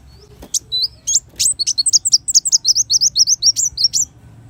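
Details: Sunbird song used for tutoring caged birds: a few sharp high ticks, then an accelerating run of thin, hooked whistled notes about four per second, very high and squeaky, over a faint background hum.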